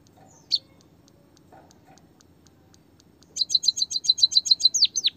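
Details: White-headed munia, a training lure for lazy birds, original voice with canary-song fill; a lone high chirp, near silence, then a fast run of about fourteen sharp, high downslurred notes.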